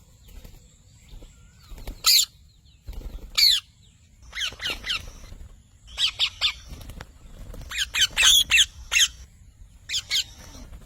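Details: Green parrot described as a talking bird, giving sharp harsh squawks in short bursts, some single and some in rapid clusters of three or four, separated by quiet gaps, over a faint low rumble.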